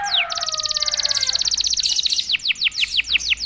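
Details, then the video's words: Domestic canary singing immediately after being prompted once: a quick descending whistle, a long high rattling trill of rapid pulses, then a run of loud downward-sweeping notes repeated several times a second. "KENARI GACOR||060|| Sekali pancing kenari diam langsung bunyi."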